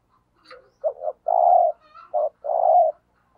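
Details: Spotted dove kept as a decoy bird, giving the cooing style called thúc gù: two short low coos, then a long steady hoarse coo, another short note and a final drawn-out coo, with faint whistles from other birds.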